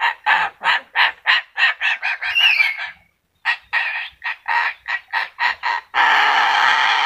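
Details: Yellow-crested cockatoo able to talk: a rhythmic series of harsh, raspy syllable-like bursts, about three per second, a short pause, then more bursts. It ends in a sustained rough screech.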